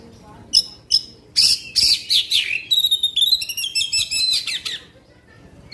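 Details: Black-winged magpie-robin in 'tembakan panjang' long-shot singing aimed at stirring other magpie-robins: sharp single notes, loud buzzy bursts, then a fast rising series of trilled whistles.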